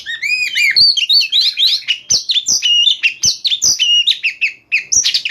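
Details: Oriental magpie-robin singing at night in a rapid, bursting 'nyembur' style: a dense, unbroken stream of varied whistled notes that rise, fall and slur together, broken by sharp dry clicks roughly every half to one second.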